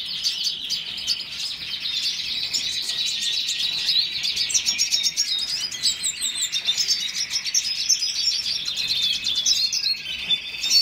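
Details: Red siskin giving sustained song, a high, even chatter of rapid trills and twitters, growing slightly louder and more staccato toward the end.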